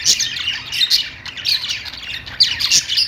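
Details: Household budgerigars chatter in a continuous, harsh twittering warble, with sharper high squeaks popping out of the group noise.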